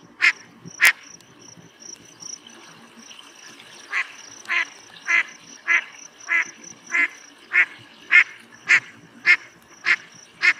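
Gadwall giving short, nasal, croaking notes repeated about every half second, with a steady high faint hiss in the background.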